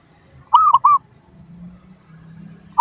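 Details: Lure song of a zebra dove meant to prompt other doves to answer: one short phrase of rolling, cooed notes over a faint low hum, with another phrase just beginning at the close.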